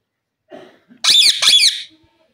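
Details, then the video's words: Pakistani ringneck parrot kept as a pet and shown talking: a loud, shrill, squeaky two-part utterance lasting under a second, preceded by a faint murmur in a quiet room. "pk ringneck parrot bird talking, cute parrots sounds"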